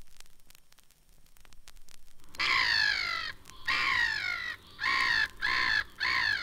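After two seconds of quiet, a Black-headed Gull gives five harsh, rasping, slightly downslurred screeches, each about a second long, in quick succession.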